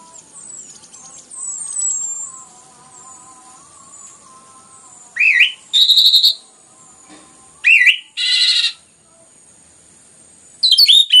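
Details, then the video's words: Orange-headed thrush in loud, dense song used as a lure to spur other birds into singing: separate bursts of harsh, rasping high notes and sharp rising whistles, with faint steady thin whistled tones between them. "PANCINGAN anis merah ngeplong gacor rapat cocok untuk MERANGSANG bunyi tambah GACOR"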